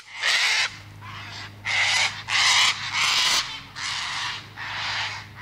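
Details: Cockatoo giving seven harsh, broadband screeches, each about half a second long, at a steady pace with short gaps between them, over a faint low hum.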